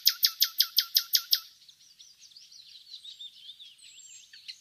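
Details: Common nightingale song from village countryside at Laleli, Yol-çatı, Bursa, Turkey: eight loud sharp clicking notes repeated rapidly, then a soft rambling high warble of quick twitters.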